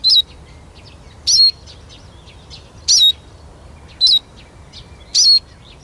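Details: A captive Eurasian siskin singing outdoors, recorded for use as a lure call in catching songbirds, gives five short, high, squeaky twisting notes about every second, each note wavering up and down, over a quiet low rumble.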